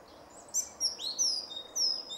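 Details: Song thrush in a grove near Jarun, Zagreb, Croatia, recorded 2 March 2016, giving a brief burst of very high, thin whistled notes with quick upward and downward sweeps.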